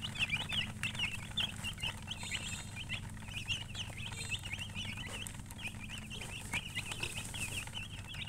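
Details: Baby chicks chirping: many high, sharp peeping notes in rapid overlapping runs, repeated throughout, over a low steady hum.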